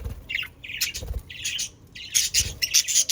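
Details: Pet budgerigars chattering: bursts of scratchy, warbled notes with rising and falling squawks, broken by short pauses and denser bright buzzy calls toward the end.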